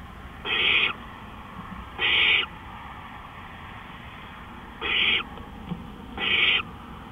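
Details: Owl at night, April 20, 2013, 3:15 AM, uttering four drawn-out, harsh hissing screeches in two pairs, with a long quiet gap between the pairs.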